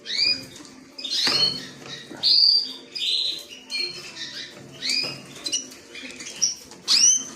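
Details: Song of a creamino canary: loud, clear phrases of high swept whistles and quick chirps, each phrase lasting under a second, with short gaps between them.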